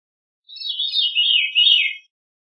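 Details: Single Veery song phrase: a breezy, reedy spiral of overlapping notes that slides steadily lower over about one and a half seconds, with nothing else audible.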